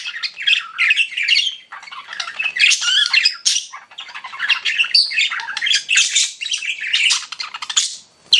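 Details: Chattering pet budgerigars kept indoors, busy overlapping warbles, harsh squawks and sharp high tweets with brief pauses, the sound rising and falling in short rapid phrases.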